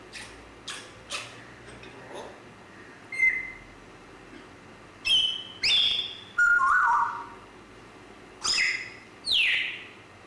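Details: Grey parrot starting with soft clicks and ticks, then a series of sharp whistles. Some whistles drop steeply, one is a wavering mid-pitched note, and the whistles come in quick pairs toward the end.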